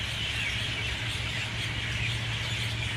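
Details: A loud, full dawn chorus of mynas at 6:20 a.m.: overlapping chattering, squealing and whistled notes blur into a constant wall of sound, over a steady low engine-like hum.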